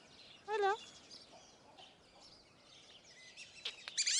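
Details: A captive, sociable Fulvous Whistling Duck (Dendrocygna bicolor) at Upie Zoo, Drôme, France, gives one loud, wavering, squealing whistle near the start. Faint chirps follow over low background noise, then a burst of high squeaky calls at the end.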